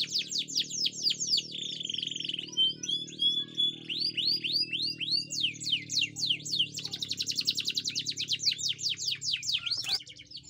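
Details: A canary in full, persistent song gives a long rolling run of fast repeated high notes, shifting between sweeping whistles and rapid chattering trills, over a faint low hum; the recording is used as a tutor song.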